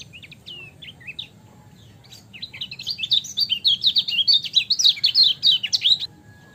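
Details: Kecial kuning, the lemon-bellied white-eye, singing in a training recording. A few scattered high chirps come first, then a fast, busy stream of sharp twittering notes lasts nearly four seconds.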